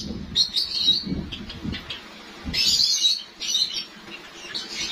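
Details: Captive white Java sparrows in a breeding setup in Lahore as the breeding season is about to start: high, thin chirps and bell-like chatter in short bursts, with softer low rustling and thumps between phrases.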